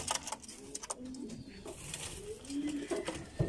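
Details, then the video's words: Bulgarian pigeons, abssi type, in a loft. Low rolling coos rise and fall, with a longer drawn coo near the end, among scattered clicks and scuffling in an enclosed space. "حمام بلغاري عبسي"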